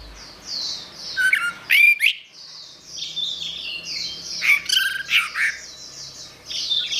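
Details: Orange-headed thrush pouring out a busy, high-pitched song of tumbling chirps, squeaky slurred notes and a couple of sharp whistled accents, with a soft steady hum underneath.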